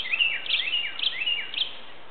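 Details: Northern cardinal, possibly two birds, singing in quiet woods near a neighborhood on a still Sunday morning: clear whistled notes slurring down from high to lower pitch, repeated about twice a second in a steady series.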